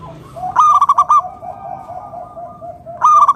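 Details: Local wild zebra dove in full song, played to draw other doves into singing: a rapid staccato burst of bright cooing notes, then a lower murmuring tail, and a second burst starting at the end.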